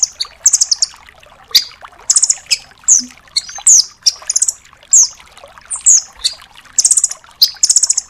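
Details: High, slightly downslurred chip groups from a velvet-fronted nuthatch, kept as a tutor for songbirds, coming in quick irregular succession, some notes bending sharply downward, with almost no gap between phrases.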